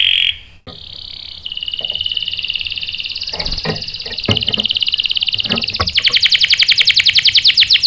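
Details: Canary lure song intended to make others respond with sharp rolls: after a brief whistle, one long continuous buzzy roll rises in pitch and turns into fast pulsed notes near the end, with faint clicks and knocks.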